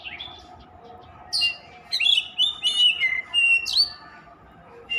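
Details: Continuous song of an Oriental magpie-robin, known locally as kacer: after a quiet start, rapid jumbled phrases of bright whistles, buzzy trills and sliding notes, ending with a sharp high-pitched flourish.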